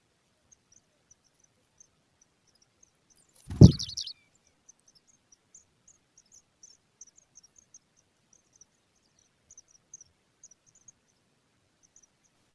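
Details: Pipit nestlings being regularly fed by a parent give thin, very high squeaky begging notes throughout, peaking in a brief excited burst, with a soft thump near the start.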